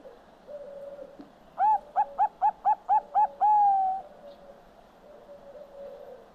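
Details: Zebra dove of the Perkutut Bangkok type singing manggung: soft low hum, then six quick bouncing coos in a row, ending with one long level drawn-out coo, then quieter humming.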